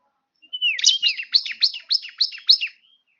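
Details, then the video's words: One-year-old bar-winged prinia giving a short burst of about seven loud, sharp, downslurred notes in quick succession after a brief rising whistle, in a quiet setting. "burung ciblek 1tahun"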